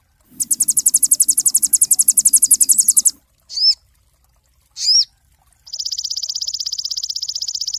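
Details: Master song of a cinereous tit for training songbirds: a loud, fast, high trill of regular pulses, two brief sharp arched calls, and a thinner steady trill at the end.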